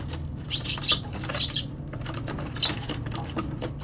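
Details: Eurasian tree sparrow on a balcony suddenly flying away: loud wing flapping with a few short high chirps, two close together early on and one more near the end.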